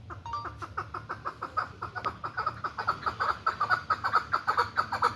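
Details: Tame hybrid chukar partridge calling: rapid, rhythmic chuck notes that start loose and build into a regular, accelerating series of about two to three per second, growing louder toward the end.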